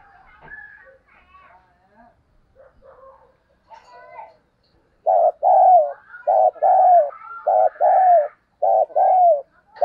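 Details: Excited cooing from a Spotted dove used as a decoy bird: faint soft notes at first, then loud paired coos, a short note followed by a longer descending one, repeated about once a second.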